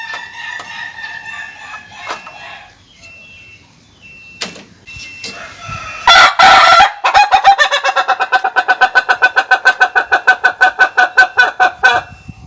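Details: Laughing chicken (Ayam Ketawa) rooster. Faint early notes lead to a sudden loud burst, then a long rapid series of clipped, laughing syllables that carries on for about five seconds.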